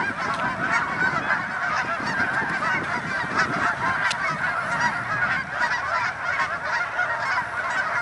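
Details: A large flock of Canada geese in Denver, Colorado, honking constantly in an overlapping, unbroken chorus of nasal calls.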